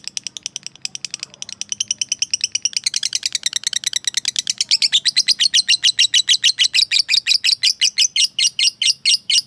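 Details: Lovebird calling out to a rival to provoke it, a long ngekek chatter: starts with uneven scratchy notes, then builds into a rapid, regular series of harsh buzzy calls.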